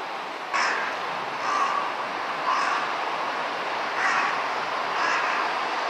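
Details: A large-billed (jungle) crow, among several crows jostling to perch on a tower's top, gives five harsh, hoarse caws, roughly one a second with a short gap midway, over a steady background hiss.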